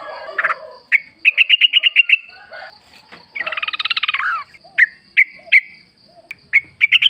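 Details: Sooty-headed Bulbul singing wild in forest, a lure recording to draw replies: rapid chirped phrases alternating with a dense buzzy rattle in the middle and scattered single sharp notes.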